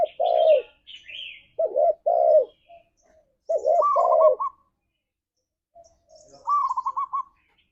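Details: Deep, hoarse spotted dove coos in pairs, from a 'ngalas'-style lure recording for pet doves, interspersed with quick higher rolling trills and faint high chirps.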